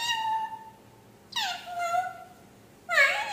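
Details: Talking parrot mimicking speech in three bursts: a level tone, a harsh, rich syllable that falls then holds, and a final raspy phrase that bends upward.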